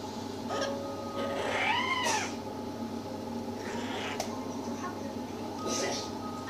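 A yellow-headed amazon gives a few loud, rich, arching calls, rising then falling, spaced a few seconds apart, with a person's voice nearby in a small room.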